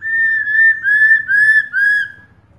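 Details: Female black-throated laughingthrush calling to a male, played to stimulate kept birds: four clear slurred whistles near the same pitch, each about half a second, rising then falling, given back to back with faint low background hum.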